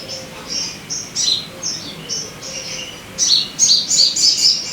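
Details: Sogon song used as a lure to get caged birds singing: high, sharp chirped notes in short bursts, a steadier run at the start, then a quicker cluster of bright, slurred notes toward the end.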